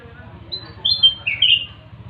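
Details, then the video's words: Sooty-headed bulbul (kutilang emas) delivering a brief bright whistled phrase of three to four notes, level then dropping in pitch, over a low steady hum. "Burung kutilang emas rajin bunyi dan gacor full isian"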